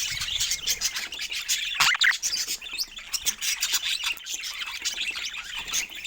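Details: Several pet budgerigars playing together, giving a dense, continuous chatter of rapid high chirps, squeaks and warbles, with a louder burst of squawks near the two-second mark and soft flapping or rustling noises.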